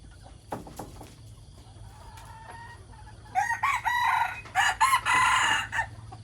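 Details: Morning crowing from a rooster: after several quiet seconds with a few faint clicks and chirps, a loud, broken, hoarse crow rises and holds before trailing off.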